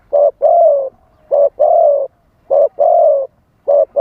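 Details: Spotted dove luring wild doves with live calling in a wild-style voice: crisp short note then longer husky coo, pairs repeating roughly every 1.2 seconds.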